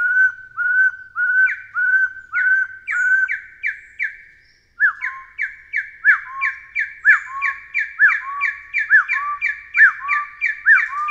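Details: Taiwan hill partridge of Taiwan's mountain forest undergrowth: steady repeated whistles at first, a brief pause, then a quicker run of rising-and-falling hooked whistles building in pace and loudness.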